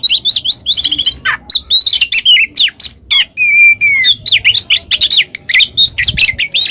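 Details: Kacer, the Oriental magpie-robin, in ngeplong ngekek song meant to coax a silent bird into singing: nearly seven seconds of dense, varied whistles, trills and scratchy chirps with one long steady whistle midway.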